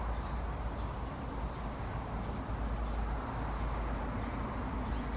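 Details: Long-tailed tit giving two very high, thin trilled call series, each a quick run of tiny notes slowly dropping in pitch, over a constant low rumble of background noise.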